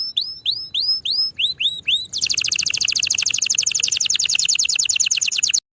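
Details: Canary singing: a run of clear upward-sweeping whistled notes, each about a third of a second, then a fast dry trill of rapid repeated pulses lasting over three seconds before it stops abruptly.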